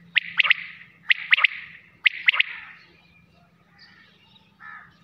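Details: Quail calling at night: a sharp, high three-note phrase repeated about once a second, three times in a row, then trailing into softer scattered chirps over a low steady hum.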